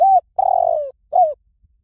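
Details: Spotted dove coo call used to lure doves: three soft, low coos, a short note, a longer drawn-out coo falling at the end, then a brief falling note.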